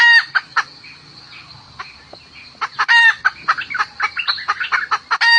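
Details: Hen calling to the rooster with bursts of sharp clucks and harsh cackling notes, first widely spaced, then crowding into a rapid, irregular chatter, with a constant thin high whine behind.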